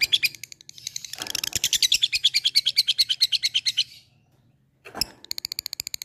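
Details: Fighting bird calling an opponent: a fast, steady rattle of sharp ticking notes for about three seconds, a pause, then a brief harsh burst and a fresh run of ticks.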